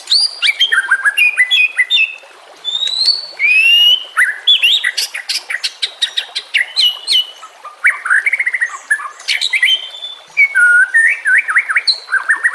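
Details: Rich, continuous song of a white-rumped shama, used to train and lure others: rapid varied phrases of whistles, high sharp notes and rising slurs, with almost no gaps across the whole stretch.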